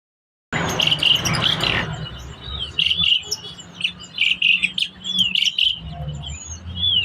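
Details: Black-collared starling singing vigorously: a loud, broad burst of harsh noise, then a run of short, sharp, whistled chirps and squeaky notes in quick clusters, with brief pauses between phrases.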